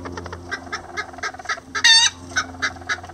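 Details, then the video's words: Lavender bantam hen and miniature roosters working on a nest together: evenly spaced soft clucks continue throughout, broken once by a loud, harsh, harmonic squawk over a faint low hum. "Chicken Sounds Lavender Bantam"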